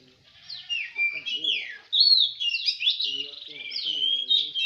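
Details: White-rumped shama singing at a songbird contest in Semende Perapau: varied, rich whistled phrases with rising and falling slurs and trills, continuous, with faint voices beneath.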